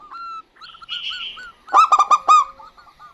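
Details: Local zebra doves, a female and a male, call back and forth with soft, clear cooing notes, then one breaks into a quick run of stuttering, ringing coos.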